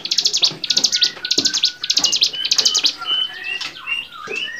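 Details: Bar-winged prinia singing on a songbird training recording: bursts of rapid buzzy, rattling pulses high in pitch, repeated about once a second, mixed with thin whistled slurs and a few lower chirps.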